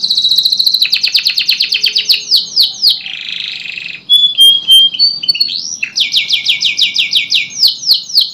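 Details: Canary singing to restart silent canaries: rapid trill of repeated notes, a buzzy passage, clear whistled slurs, then a long series of sweeping downslurred notes.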